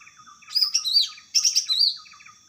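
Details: Greater green leafbird singing in the wild: two bursts of rich, warbling whistled phrases with sliding, fluttering notes, separated by a short pause, over a steady high-pitched background hum and soft repeated lower chirps.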